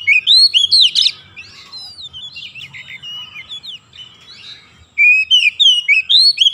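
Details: Oriental magpie-robin (kacer) singing continuous ngoceh gacor as therapy for reluctant singers: dense runs of loud swooping whistles, a buzzy burst, softer varied twitters, then another fast volley of ringing notes.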